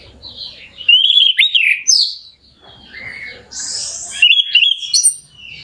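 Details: Orange-headed thrush lure song for rousing a bird to sing: twisting whistled notes, a buzzy burst, a quiet gap, then a fresh run of sharp slurred whistles.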